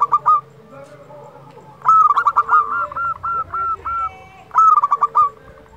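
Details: Zebra dove of local stock in full song, meant to spur quiet doves into singing: three bursts of rapid staccato coos, each a tight run of short rising notes, separated by pauses.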